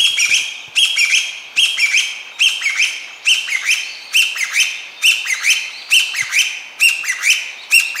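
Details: Chinese bamboo partridge song, heard as "chotto koi": loud, piercing whistled phrases repeated about every three quarters of a second, each a sharp rising note followed by a slurred drop, steady and insistent.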